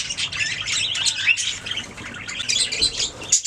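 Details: Budgies making sounds: continuous, buzzy warbling chatter mixed with bright squeaks and brief upward-sliding whistles, fairly loud throughout.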